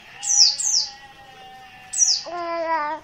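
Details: Dakun Merapi oriental white-eye, an untrained bird, calling insistently: two fast high descending chips, a pause, another chip, then a steady lower buzzy tone with a hum running underneath.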